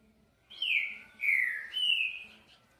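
Green-winged Saltator giving three rich, loud whistled phrases, each slurring downward, in quick succession over about two seconds; a faint low hum sits underneath.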